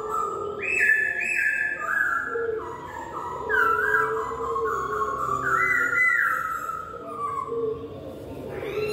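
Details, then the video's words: Laughingthrush singing strongly, a song said to prompt other laughingthrushes to reply: a run of bright whistled notes stepping down in pitch, with a lower steady tone underneath. "burung poksay lain pasti ikut nyaut gacor"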